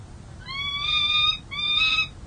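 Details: Peregrine falcon on a San Jose City Hall nest camera, April 13, 2023. A second-year male is guarding three eggs and defending the nest territory. Two drawn-out, harsh, nasal wails, each about half a second long, separated by a short gap.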